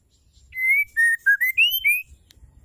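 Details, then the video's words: A female white-rumped shama's call to stimulate males into song, one phrase of six smooth, pure whistled notes, level, lower, lowest, then rising to two higher closing whistles. "MURAI BETINA GACOR PENGUNDANG Emosi murai jantan"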